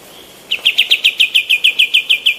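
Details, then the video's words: Female olive-winged bulbul, a master recording for training other birds: after half a second of quiet, a steady, fast series of about fourteen identical bright chip notes, evenly spaced and loud. "KAPAS TEMBAK BETINA GACOR MASTERAN"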